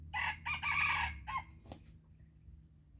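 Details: An early-season red junglefowl crows once: a hoarse, broken phrase about a second long, clipped off sharply at the end, over a low background hum.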